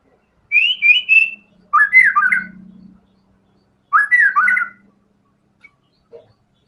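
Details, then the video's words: White-rumped shama singing vigorously through its filler material: a pair of bright whistled notes, then two bursts of fast, jumbled warbling whistles over a soft low hum, followed by quiet clicks. "MURAI BATU GACOR‼️FULL BONGKAR SEMUA MATERI ISIAN"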